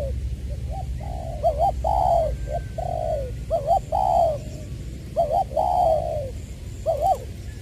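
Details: Spotted dove used as a decoy, from Trà Vinh, Long Đức in Vietnam, 22 February 2021, "Chuẩn Giọng Tiểu" voice; a run of coo phrases, each short wavering double notes followed by a longer sliding coo, given steadily over low hum.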